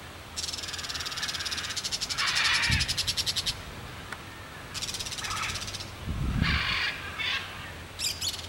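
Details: Carcará, the crested caracara, giving long rapid rattles of clicking pulses, about three or four a second, alternating with rougher grating notes, plus a few low thumps.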